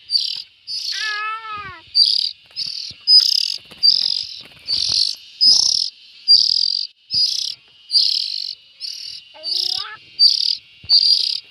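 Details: Rasping, buzzy calls from young bulbuls repeat steadily, about fifteen in a row, joined twice by a brief rising-and-falling harmonic whine and scattered faint taps.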